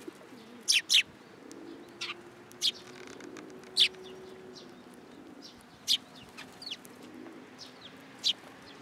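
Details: Sparrows flocking in to be fed at a Tenmangu shrine on 10 July 2022: sharp, loud single chirps spaced a second or more apart, with a soft low cooing underneath.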